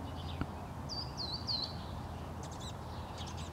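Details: Verdin calling from a palo verde tree in a Phoenix, Arizona front yard, one of a pair, on a February 2014 morning: three clear, high whistled notes, each sliding slightly downward, followed by softer high notes and a constant low hum of traffic.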